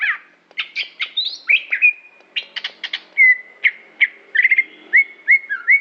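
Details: Aceh greater green leafbird giving a busy, varied song: quick chirps and trills, then a string of clear, slightly falling whistles repeated several times per second.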